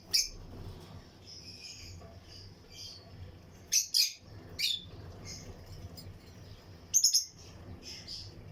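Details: Lutino lovebirds in a breeding colony aviary: sharp, high chirps at scattered moments, louder bursts near four and seven seconds, over a low steady background hum.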